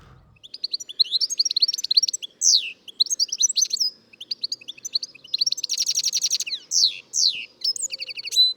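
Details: European goldfinch song: a quick, tinkling run of liquid twittering notes mixed with buzzy trills and high rising slurs, delivered without pause.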